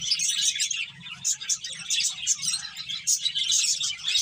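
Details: Chattering finches, eating and playing, with rapid high tweets in pulsing bursts and a few bright, piercing notes cutting through the chorus.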